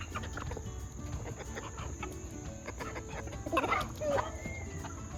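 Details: Junglefowl hybrid chickens mixed with game hens, fed in the yard; low busy clucking throughout, then a cluster of sharper raspy calls and a brief rising squeal toward the end, steady electronic whine in the background.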